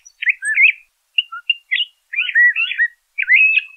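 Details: LeConte's thrasher singing rich, slurred warbling phrases, some drawn out and looping, others short clipped notes, separated by short silences, quiet background.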